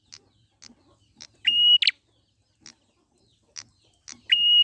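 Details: Prinia recorded in the wild, used as a lure to prompt birds to sing: sharp dry clicks repeated about every half second, twice broken by a loud, flat, high whistled note that ends in a harsh burst.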